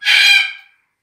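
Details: Red-tailed black cockatoo of the subspecies Calyptorhynchus banksii banksii (magnificus) giving a single harsh, grating, rasping screech of under a second that fades out at the end, followed by silence.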